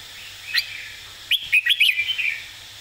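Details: Red-whiskered bulbul model song for teaching birds: a single sharp note, then a lively phrase of five or six quick, clear whistled notes trailing into a softer warble.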